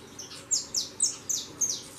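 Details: Fledgling saffron finches leaving the nest and flying: loud, high, sharply descending chirps, five in about two seconds, evenly spaced, with little other sound.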